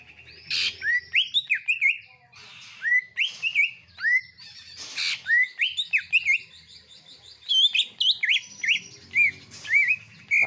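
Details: Greater green leafbird, a house bird, singing energetically together with common iora-style phrases: steady streams of bright slurred whistles broken by occasional harsh scratchy bursts.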